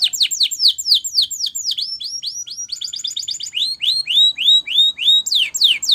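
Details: Spanish Timbrado canary training song: rapid series of descending whistled sweeps, repeated in fast phrases that shift pitch, a dense trill near the middle, then slower falling whistles, all high and clear with no other sounds.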